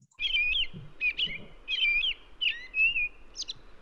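American Robin singing: five clear, whistled phrases, each rising and falling, delivered slowly and steadily about every 0.7 seconds with a faint background rumble.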